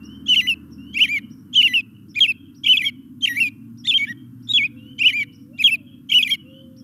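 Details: A male American Robin sings about ten short whistled phrases, each rising and falling, roughly one per second, over a steady low hum.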